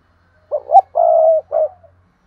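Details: One call from a 2022 decoy spotted dove in the thúc and gáy gọi manner: a pair of quick upswept notes, a sustained even coo, and a short falling final note in quiet surroundings.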